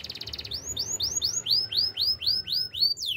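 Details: Canary in the wild opening with a short buzzy trill, then a steady series of arching whistled notes roughly every third of a second, ending in a quick downward sweep.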